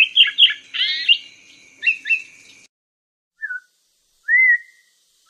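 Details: Black-throated laughingthrush: a burst of rapid whistled notes and a rich rolling phrase, then two short notes over a steady high tone that cuts off. After silence come a lone falling whistle and a longer rising whistle.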